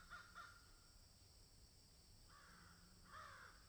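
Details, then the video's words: A field with crows: two quick caws at the start, a quiet stretch, then a few more grating caws toward the end. "crows caw in field"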